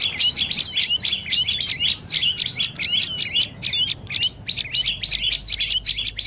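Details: Dark-necked tailorbird from northern Thailand giving bursts of rapid high chirps in groups separated by short pauses, the notes sharp and piercing against a calm background.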